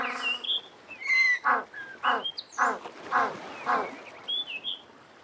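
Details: African penguin calls: a nasal harmonic note, then a regular series of short harsh gasping honks about every half second, while other birds whistle and chirp at higher pitch throughout.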